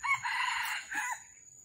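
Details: Red junglefowl calling on a December morning in Vietnam, during trapping of wild junglefowl with a lure bird. A single harsh, harmonic, crow-like burst lasts about a second. It is followed by a softer short note, with faint background hiss.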